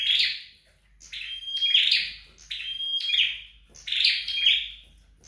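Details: High, piercing flowerpecker phrases in home training: a rasping burst, then a drawn-out thin whistle and another buzzy flourish, repeated about every second and a half.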